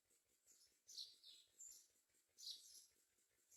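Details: Myna birds gathering food to feed their young; a few scratchy, hissing calls with a thin whistled squeak mixed in, irregularly spaced, over faint ticking.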